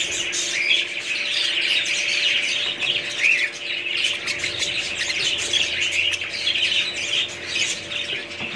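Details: Budgerigars giving continuous twittering and squawking in a thick, unbroken wash of high, scratchy flock chatter.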